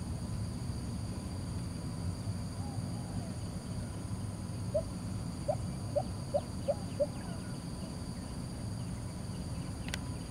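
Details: Lesser Coucal song in Singapore: a run of six short hollow notes, quickening slightly, rising from a constant low rumble of background noise, with faint high chirps from other birds.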